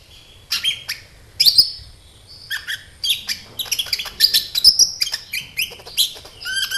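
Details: Bright, high-pitched sunbird twittering intended to provoke kept sunbirds into singing: a quiet start, then dense clusters of sharp chirps and buzzy sweeps in irregular bursts.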